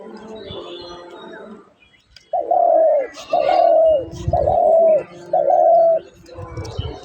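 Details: A caged dove gives four mellow, hollow coos about once a second, each slightly falling at the end, over faint background noise.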